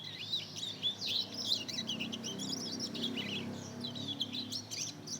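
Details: Two-month-old canary and Mozambique canary cross practising song: a steady, jumbled stream of thin chirps and twisting whistled notes, soft and unstructured, with a faint hum behind.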